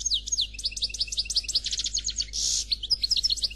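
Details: European goldfinch, described as black, singing a Khalwi-style song without faults. There is unbroken, dense, high-pitched twittering of quick slurred notes and rapid trills, with a loud wheezy buzz partway through. No other sounds are heard.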